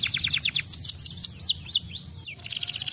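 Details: Canary singing as stimulation for lazy canaries: rapid descending whistled sweeps that slow into longer downward slurs, a brief pause, then a dense buzzy high trill.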